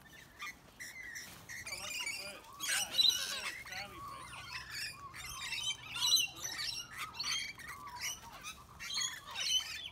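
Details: Rainbow lorikeets harassing larger birds such as sulphur-crested cockatoos, brushturkeys and other lorikeets; sharp, high chattering screeches and squeaky chirps come in irregular clusters, with a louder burst of harsh calling early on.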